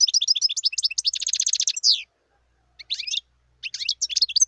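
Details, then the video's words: Wild European goldfinch twittering fast with high, bright notes, running into a buzzy trill and a falling slur, then short broken fragments of chirps separated by brief silences. "صوت الحسون البري"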